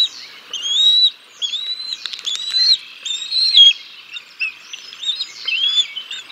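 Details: Wild bald eagles at the Decorah North nest, 6 May 2022, during a chick feeding after the male brings a fish: a stream of high whistled notes, each rising then dipping, with a brief burst of flapping or rustling midway.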